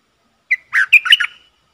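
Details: Red-whiskered bulbul used as a decoy bird to lure wild birds: one short bright phrase of about a second, a clear note followed by several rich, warbled, chirping syllables, with a quiet background.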